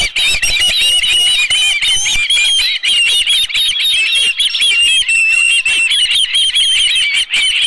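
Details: Osprey at a nest at Dunrovin Ranch with a live fish, 11 July 2018 around midday: dense, rapid whistled chirps in a high band, each slurred and slightly wavering, running almost without pause for the whole stretch.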